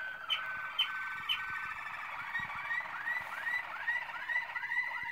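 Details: Malinois Waterslager canary singing in 2016: a low tonal base with a series of rising slurred notes repeated roughly every half second, and a few sharp high clicks early on.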